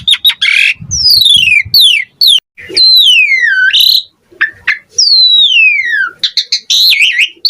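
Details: Asian pied starling in full varied gacor song: loud harsh squawks mixed with long downward-sweeping whistles, sharp clicks and rapid chattering notes in a busy, unbroken stream.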